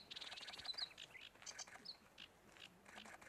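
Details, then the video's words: Sedge warbler in a small coastal reedbed in spring, singing a fast, jumbled medley of rasping, churring notes, sharp chips and brief whistles, as it does from a reed stem and in fluttering territorial song flight. "Bien caché au cœur des roseaux, il finit souvent par entonner son pot pourri de son râpeux en évidence sur la tige d'un roseau"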